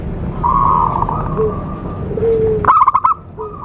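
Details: Zebra dove call used to lure birds for trapping: a brisk series of about six clipped cooing notes near the end, following background whistles and a steady low rumble.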